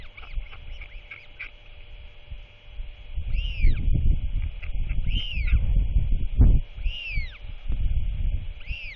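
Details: Royal albatross chick chatting with its father during an evening feeding, 27 March 2024; after a quieter start, loud arched whistled squeals come roughly every 1.5 seconds through rumbling wind.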